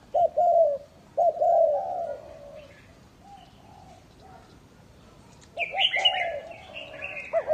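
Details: Lure spotted dove at a breeding farm in Ba Vi, Hanoi, Vietnam, giving a couple of coo phrases, then a pause, then more coos overlapped by a louder buzzy twittering bird.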